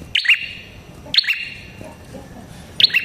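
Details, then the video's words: Red-headed prinia, song for luring prinias: three loud, sharp doubled chirps about a second apart, with a soft noisy background between them. "Suara Burung Prenjak Kepala Merah Gacor Ampuh untuk Pikat Prenjak & Pancingan Prenjak"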